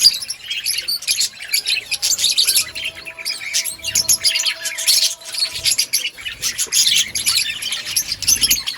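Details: Budgies of an outdoor breeding colony keep up a steady high-pitched chatter, rapid chirps and buzzy warbles overlapping in pulsing waves, with faint thin tones underneath.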